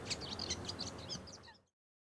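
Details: Wild bull-headed shrike singing its courtship song in Japan: a quick series of sharp, high chirped notes about every fifth of a second, fading out after one and a half seconds into silence.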